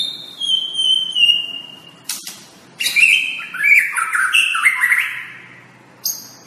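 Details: White-rumped shama giving a sustained high whistle with a faint higher overtone, then harsh rattling bursts and rich whistled descending notes, ending with a sharp high chip.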